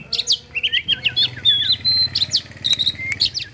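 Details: A caged oriental magpie-robin sings agitated after seeing a rival: quick varied phrases of sharp down-slurred whistles, buzzy notes and a sustained clear whistle, delivered in rapid bursts.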